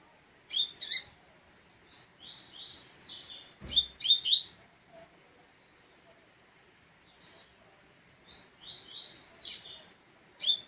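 Double-collared Seedeater singing high, bright phrases of sharp chips and stepped buzzy notes, in two bursts with a pause between and a brief knock partway through.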